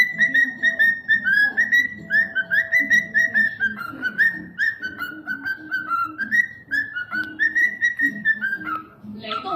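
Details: Cockatiels kept as pets give a long run of whistled notes in a quick, tune-like sequence, about two per second, over soft lower tones in a small room.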